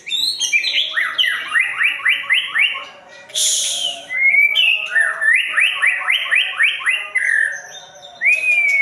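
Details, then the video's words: White-rumped shama singing two runs of rapid rising whistled sweeps, six or seven in quick succession, separated by a sharp hissing burst and capped with a long upslurred whistle. "JALUR MURAI YG BIKIN RUSAK DOMPET"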